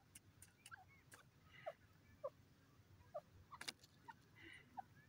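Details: Francolin (teetar) giving soft, short, low clucking notes, about eight scattered irregularly over five seconds, each a brief downward blip, amid sharp clicks and a steady low background hiss.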